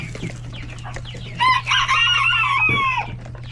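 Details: Chickens, roosters and chicks in a coop with many babies at hectic lunchtime feeding; loud harmonic squawking calls mid-clip over busy background clucking and peeping, with a steady low hum throughout.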